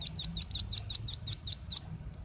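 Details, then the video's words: Velvet-fronted nuthatch lure recording, the busy 'ribut' style: ten sharp, very high chipping notes in an even run about five per second, then the run stops and a low background hum remains. "suara pikat burung rambatan ribut suara jernih"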